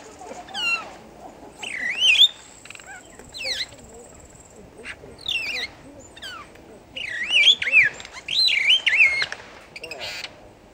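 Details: At Newquay Zoo in 2014, a superb starling sings in rambling bursts of rapid, twisting whistles and scratchy chatter, with a thin, steady high tone held for a couple of seconds partway through.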